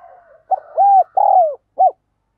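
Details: Decoy spotted dove giving a rapid urging coo to lure wild doves to its perch: a soft lead-in note, then four hollow arched coos in quick succession, the last short and separate.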